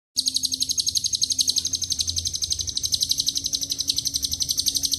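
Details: Lovebird giving a long ngekek song laced with cililin and canary phrases, a lure recording: a dense, high, rapid chattering trill of evenly spaced pulses, about four per second, continuing throughout, with a faint low hum beneath.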